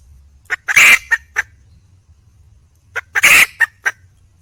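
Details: Wild hen red junglefowl calling for a mate, giving two similar cackling phrases: a few short clipped notes, a long harsh screech, then more clucks, repeated after a pause of about one and a half seconds.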